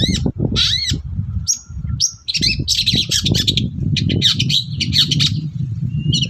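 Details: Long-tailed shrike in energetic morning song to make other shrikes answer: harsh squawks and a thin sustained whistle, then dense scratchy chattering and a short high note near the end, over steady low noise.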